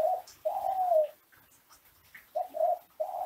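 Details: Ringneck dove, classic Kelantan type, singing to encourage other doves to coo: a short coo and a long, gently falling one, a quiet stretch, then two quick coos and a level note.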